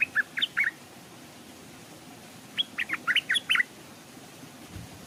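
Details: A decoy Stripe-throated Bulbul, caged and hung at a streamside, draws wild birds that stay off. Two lively bursts of tumbling, bubbly notes, the second longer and more varied, against quiet background noise.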